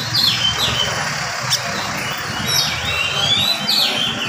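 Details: Morning song from an oriental magpie-robin, quick and close-packed to provoke listening magpie-robins; bright downslurred and upslurred whistles, spaced about every second, above a constant low rumble.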